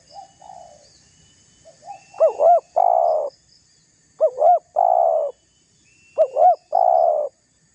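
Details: Spotted dove, a calling bird used as a lure to provoke rivals: a soft lead-in coo, then a two-note bouncing coo and a long drawn-out coo, phrase repeated about every two seconds, faint high chirps behind.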